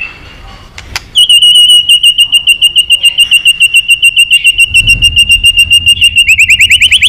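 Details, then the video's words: White-rumped shama long song meant to provoke fighting: a sustained rapid trill of pulsed notes on one steady pitch for about five seconds, ending in rising chirps. "chòe lửa kéo dây dài cực phê. đập tạch đuôi kích đấu. chòe lửa hót giọng dài kích lửa"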